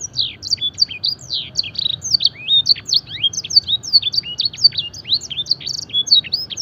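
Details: Fancy canary mimicking blackthroat song, recorded for song training: long continuous stream of crisp, high chirps, sharp downsweeps and brief whistles, bursting in quick clusters without pause.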